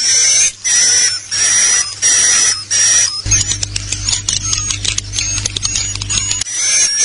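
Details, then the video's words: Swiftlet call-lure recording for attracting swiftlets: harsh, hissing chirps in bursts about every half second, then a dense buzzy chattering over a low electronic hum. "Call Swallow Birds"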